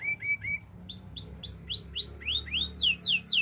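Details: Canary song opening with short flat whistled notes, then a steady run of rising-then-falling swept notes, roughly four each second and climbing higher toward the end, over a low rumbling background hum.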